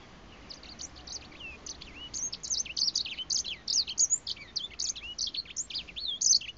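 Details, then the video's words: A breeding grey finch sings close up: a lively jumble of high, varied whistles, sweeping up and down, with sharp notes and slurred loops delivered in quick succession over a low background hiss. "小灰燕近距離唱歌 Grey Finch"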